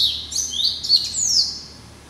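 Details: Short, high, sweet phrase of sliding whistles and twitters from a pet Yelloweye × Timbrado hybrid finch hatched in November 2012, fading out at the end.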